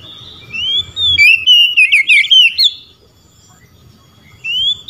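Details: An Oriental magpie-robin sings loudly to call out a rival, with a rich run of whistled, warbling notes for about two seconds. Another magpie-robin answers with a fainter whistle rising near the end.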